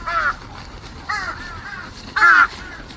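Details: Three separate rasping caws from crows coming to eat on March 18, 2026, evenly spaced about a second apart, the last one loudest and broadest.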